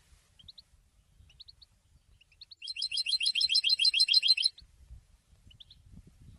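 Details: European goldfinch: isolated paired chirps, then a dense buzzy trill of rapidly repeated notes lasting about two seconds, over low background noise.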